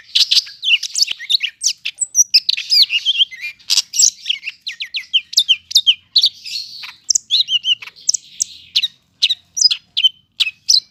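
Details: Densely packed song of a Medan greater green leafbird, Bandung, 5 September: nonstop high twittering, quick slurred whistles and chattering notes tumbling together with hardly a pause.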